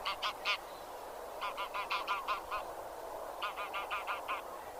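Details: Anser geese calling: runs of clipped, nasal honks, first a trio, then a string of six, then another string of six, against a hissing background.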